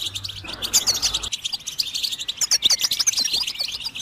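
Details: A goldfinch's song, meant to prompt other birds into singing. It is a rapid, tinkling run of high chirps and twisting whistled notes, with a short hiss of background noise at the start.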